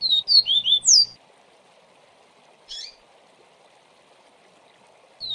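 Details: A Double-collared Seedeater gives the "viviti" song, used with pauses to tutor young birds: a quick burst of bright, sliding whistled notes, then a short high phrase after a pause, over a steady hiss.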